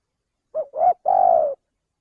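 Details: Lure call of a male spotted dove, played to draw birds in for trapping: a three-part coo with a short low note, a slightly rising second note and a long, even, fluttering final note, all quite low-pitched, with a clean, quiet background.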